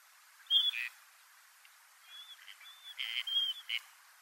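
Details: Gadwall courtship display in winter: a clear high whistle followed by a low nasal burp, then quieter whistles and a second loud whistle-and-burp pair, against a quiet background.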